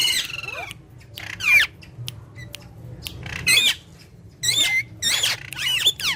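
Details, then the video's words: Green talking parrots at play: short, high, noisy squeaks and squawks in separate bursts, with soft clicking between louder calls. "Funny Green Talking Parrot Speaking And Fun With Each Other"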